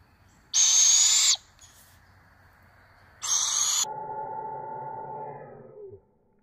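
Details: Barred owls at breakfast on a beautiful morning: two loud, harsh, hissing screeches, the second running into a lower drawn-out tone that slides downward before fading.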